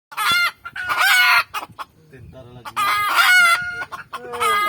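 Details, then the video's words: Red junglefowl heard from a garden where cooking is under way: two loud, harsh, harmonic crowing bursts about two seconds apart, with a quieter gap between them. "suara ayam hutan"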